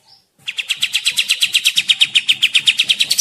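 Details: Kapas tembak bird singing vigorously, a recording used as a forest trapping lure: a fast, steady series of sharp, high chipping notes, about three per second, running without a break for three seconds.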